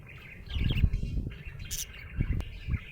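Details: Brief burst of cheerful budgerigar chatter: scratchy rising chirps and a sharp click, mixed with low bumping sounds.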